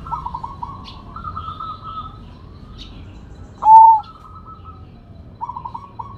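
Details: Rare Sumbawa perkutut, or zebra dove, in active big-voiced song: rolling, bubbling coo phrases, a single loud sustained whistled coo midway, then more trilled coo notes, with a soft low background hum.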